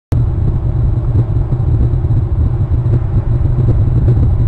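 Steady low vehicle rumble fills the recording throughout, with no animal calls heard.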